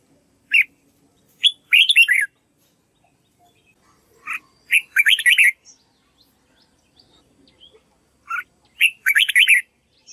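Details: Red-whiskered bulbul rehearsing its song to train a white-cheeked bird. Three short warbling phrases, each a clipped note then a run of quick liquid whistles, spaced about three to four seconds apart.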